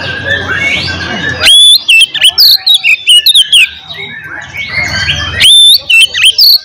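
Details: Fighting 'ngeplong' song of an oriental magpie-robin, used as bait to rouse rival magpie-robins: loud, sharp whistled notes and quick slurs in bursts, alternating with stretches of hissing background noise.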